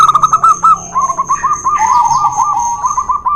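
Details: Local and white zebra doves duelling, played to coax reluctant doves into song: quick runs of clipped, bubbling coos follow one another, overlapping voices trading phrases, with a thin constant whine above.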